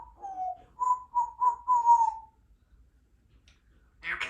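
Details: Young female Congo African grey parrot, three years old, kept as a pet in a country home, talking: a few tonal, slightly falling whistled syllables in a steady run, then a brief noisy burst after a pause.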